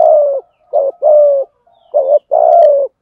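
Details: Spotted dove giving thúc gù cooing in the thổ voice style, used to train and lure wild doves. Low, hollow coos come in two phrases, each a short note and then longer drawn-out notes, with quiet gaps between. No other sounds.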